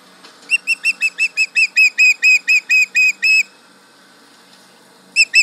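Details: Osprey at the Charlo nest yelling at a tractor, 31 July 2019, 11am MDT: a fast run of about fifteen sharp whistled notes, growing louder, then silence and two more notes at the end.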